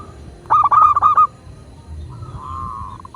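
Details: Local zebra dove (perkutut lokal), recorded as a master to lure other doves into singing. One quick phrase of five or six staccato, mellow coo notes runs together, followed by a faint, drawn-out softer trill and low hum.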